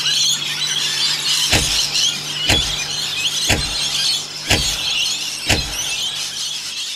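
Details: Australian rainbow lorikeets, about a hundred visiting a rain gutter to bathe. Dense shrill screeching throughout, broken by sharp, loud knocks or thuds roughly once a second, with a low hum beneath.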